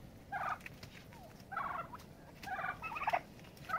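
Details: Turkeys fighting to decide a pecking order utter four buzzy, chattering call bursts about a second apart, the third longer and busier than the rest.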